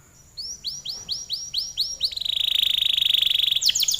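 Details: Canary song with spaced arched whistled notes, about four a second, then a very fast, dense high trill held for over a second and a final flourish; light background hiss.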